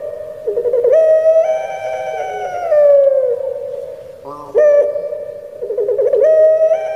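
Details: Puter pelung Barbary dove, a cared-for caged bird from Java, delivering drawn-out, rising crying-style coos that slide downward, with a short rough break midway before the next bubbling, drawn phrase.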